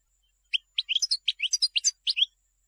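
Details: European goldfinch song selected for teaching young birds: a 1.7-second run of about fourteen quick, bright twittering notes, sweeping and tinkling, on a silent background.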